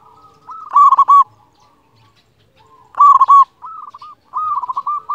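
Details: Big-voiced local Zebra dove cooing: two loud bursts of quick rolling notes three seconds apart, followed by a quieter run of short stuttering coos.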